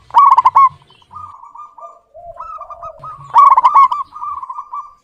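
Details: Clear-voiced local zebra dove in full song, opening with a loud rippling trilled coo, then a softer string of bubbling coos dipping slightly lower before another strong burst.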